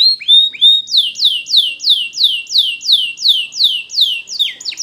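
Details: Timbrado canary of the Spanish breed singing for training: after a few rising whistles, a steady series of bright downslurred notes repeats about three times a second, crisp and clean without background noise.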